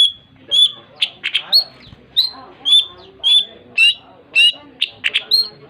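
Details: Long-tailed shrike delivering clear whistled notes near the same pitch, alternating with harsh squeaky bursts, roughly two per second, over a quiet background.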